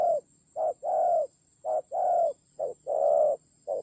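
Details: Spotted dove acting as decoy in a fight, Vietnam's Central Highlands, 19 October 2020, repeating brisk pairs of low coos, a short note then a longer throaty one, under a steady thin tone.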